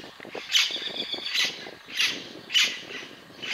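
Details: Scarlet-throated tanager (Compsothraupis loricata) in Curvelo, Minas Gerais, Brazil, giving harsh, scratchy high notes, about five in quick succession less than a second apart, over a faint background murmur.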